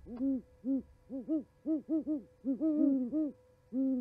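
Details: Winter exchange of owls at a Charlo, Montana osprey nest on 11 January 2020, recorded by a live nest camera; about a dozen deep, rounded hoots in quick, uneven series, some calls overlapping between two birds.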